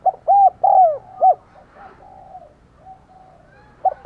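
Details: Decoy spotted dove used to lure wild doves, giving urging coos and calling coos: a quick run of four low, arched coo notes, then soft, faint cooing, and another pair of coos at the end.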